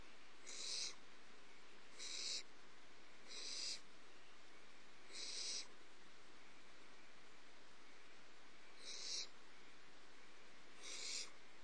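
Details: Barn owl owlets in a nest box, early morning, 30 March 2011, very active (stretching, hopping, climbing), give harsh, breathy hisses, each a short rasping burst, repeated at uneven intervals.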